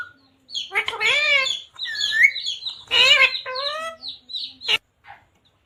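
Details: Talking parrot kept as a pet, voicing words such as "mummy papa koun aaya hai": a string of raspy, speech-like harmonic syllables with short pauses, ending in one sharp click-like note.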